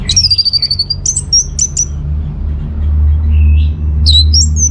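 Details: Orange-headed thrush in vigorous song, played as a lure so other birds answer: a fast high trill sliding into whistled notes, then short sharp repeated whistles, a brief softer warble and more high squeaky phrases over low background rumble.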